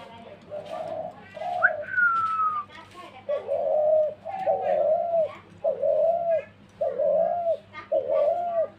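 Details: Dove calling, shown in Bengal as the ghughu; repeated low cooing notes roughly once a second, each a short hollow phrase, after a brief higher whistled sound near the start and some background voices.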